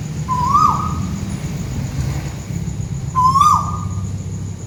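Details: Two whistled calls from a tuwu bird overhead in Malaysia, about three seconds apart, each a level note with a slight rise and a steep falling end, over heavy low rumbling background noise.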